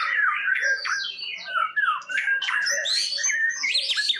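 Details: White-rumped shama, a competition bird from Tasikmalaya, Indonesia, singing loudly at a murai batu song contest: rich, fast phrases of clear whistles, sharp downward slurs and chattering notes, with other birds faintly behind.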